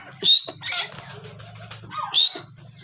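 A grey francolin gives two sharp, high, rising notes about two seconds apart, with rustling and a low steady hum between them.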